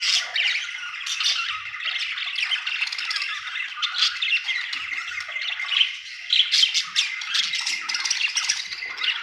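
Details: Happy budgerigar chirping: continuous busy warble of scratchy chatter, squawky notes and quick tweets, steady and dense throughout.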